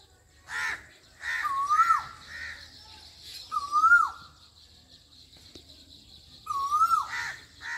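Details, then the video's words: Asian koel singing in Pakistan: three loud rising whistled calls spaced a few seconds apart, each ending in a sharp fall, with harsh crow-like caws and other birdsong in the background. "Koyal ki awaz asian koel bird singing cuckoo bird singing song"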